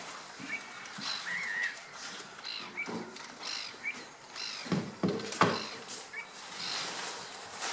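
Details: Black-winged stilts at Slimbridge WWT, Gloucestershire, on 23 April 2017 give sharp, yapping notes in irregular bursts, some overlapping as if from several birds, over steady background noise and a few low thuds.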